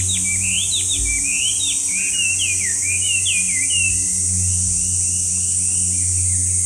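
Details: Loud song of a Chinese hwamei: a rapid string of varied, slurred whistles over the first four seconds, then quieter. Background of continuous high insect drone and low rumbling hum.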